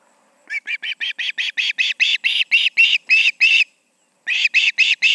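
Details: Evening at the Charlo osprey nest, August 20, 2019, about 7pm MDT, two ospreys present; a rapid string of around fourteen shrill chirps at roughly four per second, a brief pause, then four more.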